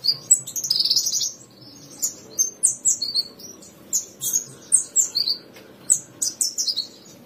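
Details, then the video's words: Javan bushlark song, a 2022 tutor recording meant to get pet bushlarks singing: a quick run of high, slurred whistles and chirps, then separate high twittered notes every half second or so, each rising or falling. "Kumpulan masteran burung branjangan terbaru tahun 2022, dijamin branjangan anda akan gacor"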